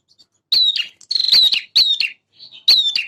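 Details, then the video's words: Male bar-winged prinia singing: bright, sharp high whistled phrases ending in buzzy descending notes, about four bursts in three seconds, loud and clear against a quiet background. "PRENJAK JANTAN GACOR burung bahan cepat respon dengan suara ini"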